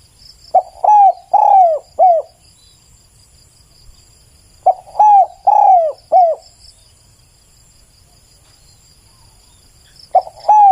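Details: Spotted dove calling a four-note cooing phrase over and over, about every four to five seconds, with soft hollow arched notes; a clean recording made for luring.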